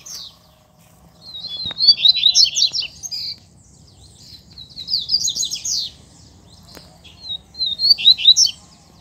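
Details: Double-collared seedeaters out in the wild scrub, with a calling chick present; three quick, jumbled high warbling phrases of chirps and slurred notes, each lasting about two seconds, separated by quiet gaps, with a couple of sharp clicks.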